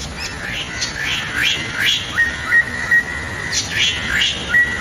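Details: Greater racket-tailed drongo singing: a varied series of whistled notes, sharp upward and downward sweeps mixed with long level whistles, clear and loud above quiet background noise.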